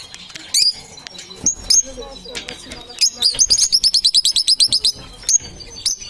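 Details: Parrots giving high whistled chirps, first a few separate notes, then a fast regular series of about a dozen rising chirps, followed by a couple of isolated calls.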